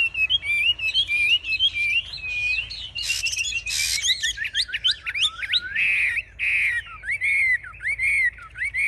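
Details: Caged Chinese hwamei, a fierce fighter displaying with raised wings and spread tail; varied rich whistling with harsh bursts, sharp upswept notes in fast runs, then slower looping phrases.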